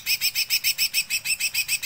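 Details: Young spotted (trotol) Greater Green Leafbird sings a long, fast, rolling run of high bright notes, about six to seven per second, steady and even throughout.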